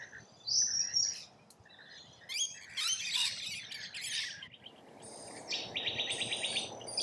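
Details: Feeding rainbow lorikeets in Australia: sharp high shrieks, then a loud burst of harsh raspy chatter, followed by a rapid pulsed buzzy trill, with low background noise underneath.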